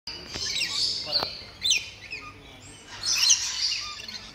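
A blue-streaked lory gives harsh, grating screeches in two long bursts with a brief sharp squawk between them, over quiet background noise.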